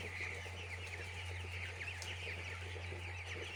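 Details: Chicks on a poultry farm fill the air with dense, rapid high-pitched peeps, each a short slurred chirp, over a persistent low mechanical drone.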